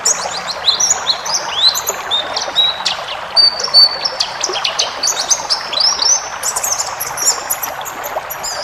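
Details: Varied forest white-eye song meant to train caged birds: high slurred whistles and rising chirps strung into lively twittering runs, over a constant background hiss like a stream.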